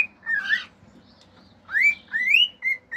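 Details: Pet male cockatiel at home singing natural songs, mimicking surrounding sounds: a short flat whistle, a wavering double note, then loud upward-sliding whistles and brief clipped whistles over about three seconds, with a faint low hum beneath.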